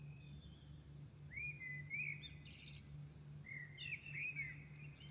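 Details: Milan birds singing at dawn: rising whistled slurs and twittering notes in loose bursts, with a quick buzzy flourish midway, over a persistent low mechanical hum.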